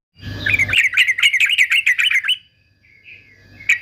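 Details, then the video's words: Male fighter yellow-vented bulbul singing, used for song training of silent birds: a fast run of bubbly, warbling chatter notes repeated about four per second for two seconds, then a softer short warble and a final sharp note. "TRUCUKAN JANTAN FIGHTER ANTI BISU"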